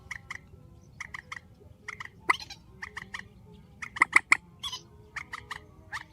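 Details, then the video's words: Grey-headed swamphen calling strongly: short, sharp, clicking notes in quick pairs and triplets, repeated steadily for six seconds over a faint low background rumble. "Tiếng trích TRÍCH GHÉP SỐ 4, tiếng trích mạnh"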